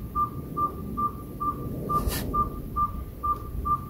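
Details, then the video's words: Unidentified nocturnal caller, thought to be an owl, heard outside a home: nine clear, flat whistled toots in quick, steady succession, all at the same pitch, with one brief hiss partway through. "Who hoots for you?"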